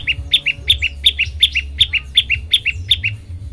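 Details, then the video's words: Olive-backed tailorbird singing to prompt other birds to sing: paired high notes, a bright upper note followed by a lower one, repeated steadily about eight times over low background hum. "masteran prenjak lumut bikin semua burung ikut bunyi"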